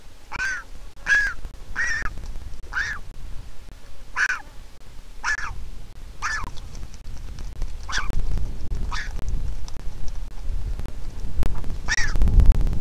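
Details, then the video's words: Hungry Griffon vulture chick, hatched 22 April 2021 in Israel, begging as its mother comes to feed it: about a dozen rasping nasal squeals in a steady run near a second apart, with low thumping and rustling growing toward the end. "Baby Griffon Vulture begs for food and Mom comes to feed it."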